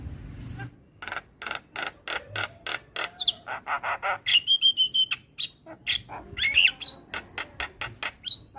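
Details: Javan myna master song for training, full fill-in: a steady rapid string of harsh chattering notes, about three per second, with short clear whistles woven through.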